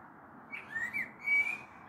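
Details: Common blackbird singing on an April evening in 2022, a storm perhaps approaching, recorded from a balcony: a few short mellow fluted whistles, slightly rising and falling, over faint background hiss.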